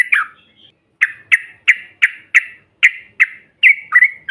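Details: Yellow-vented bulbul 'ombyokan' calls for provoking other birds: a chirp, a pause, then a regular string of short sharp notes about three per second, ending in slurred, bubbly calls.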